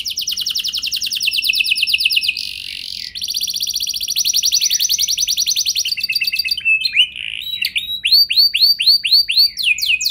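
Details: Canary singing as a prompt for other canaries to sing along with long rolls: long dense rolling trills, a brief buzzy break, more rapid trilling, then a series of curved slurred whistles at the end.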